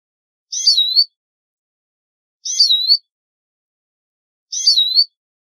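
Eurasian siskin: a high, twittering phrase of about half a second that ends in a quick trill, repeated identically every two seconds against silence.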